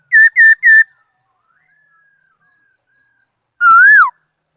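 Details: Laughingthrush song from 2018: three quick, loud, identical whistled notes, a faint trailing whistle, then one long rising-and-falling whistle.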